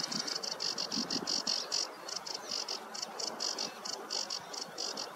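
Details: Sedge warbler singing on a meadow on a warm morning, 2 July 2024: fast, dry chattering bursts, high and buzzy, repeated in quick succession with short gaps for about five seconds, over a soft background hiss.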